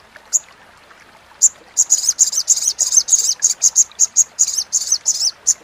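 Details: Crimson sunbird crecetan chatter recorded cleanly as a master for songbirds: a few isolated high notes, then a dense run of harsh, buzzy, slightly wavering bursts repeated several times a second.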